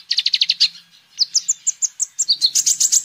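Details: Sunbird (kolibri ninja) singing, used for luring and tutoring birds; a fast series of high chips, then rising notes climbing in pitch, ending in shrill rapid trills.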